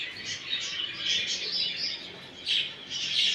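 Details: Budgerigars chattering, used to stimulate a male budgie to mate: busy high twittering with squeaky bursts and scratchy warbles, loud peaks near the middle and end, several birds calling together.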